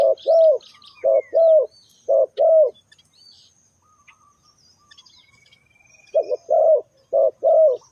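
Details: Spotted dove luring call for attracting wild birds: deep mellow coos in groups of a brief note followed by a longer drawn-out one, a quiet gap midway, faint high bird chirps behind.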